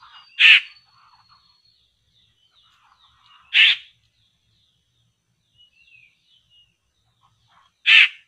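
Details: Laughingthrush known locally as poksay, lured toward traps: three loud grating rasps spaced about three to four seconds apart, with soft twittering and thin whistled notes from other birds filling the gaps.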